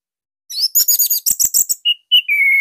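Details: Orange-headed thrush, a Bali bird kept as a master singer to draw out other thrushes, gives a rapid run of high twittering notes followed by short clear whistles and a long steady whistled tone.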